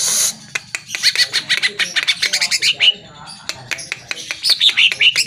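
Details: Lure recording of greater green leafbird song meant to provoke caged birds into singing: an opening buzzy burst, then a busy run of sharp chips and rapid clicking notes with short rising whistled slurs.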